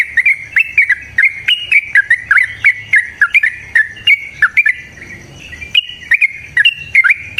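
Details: Yellow-vented bulbul in an excited fighting song, used as a lure: dense, fast chirps and slurred whistles, a brief lull midway, then the lively chattering resumes.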